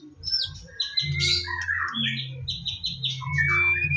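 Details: White-rumped shama singing in the morning, used as a lure to spur other birds to sing: varied clear whistles and short sweeping phrases, some rising and falling, over a steady low pulsing background hum.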